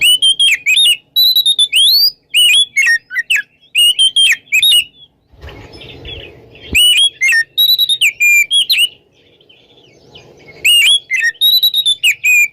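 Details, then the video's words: Oriental magpie-robin singing ngeplong-style in the morning: loud, clear whistled phrases, some rising and some falling, given in quick bursts with short pauses. A stretch of low, rough noise interrupts midway before the whistling resumes. "SUARA KACER NGEPLONG DI PAGI HARI"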